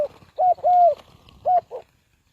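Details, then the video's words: Spotted dove from Ninh Thuận, calling as a trapping lure: loud falling coos, one long drawn-out note between shorter ones, over faint low background rumble. "Cu gáy Ninh Thuận"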